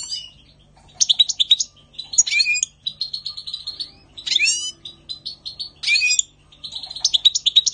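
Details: Spring 2020 European goldfinch song: bursts of quick tinkling, twittering phrases mixed with short buzzy trills, delivered in lively bouts separated by brief pauses.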